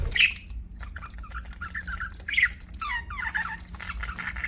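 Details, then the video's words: Soft, rambling warble from pet budgies: gurgling, wavering notes with a few sharper squeaks at the start and midway, low background hum throughout. "BUDGIES CHIRPING SOUND"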